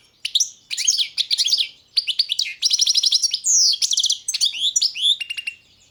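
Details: Lively, nearly unbroken song of a Balkan European goldfinch: tinkling chirps, rising whistled slurs and rapid rattling trills tumbling together for about five seconds.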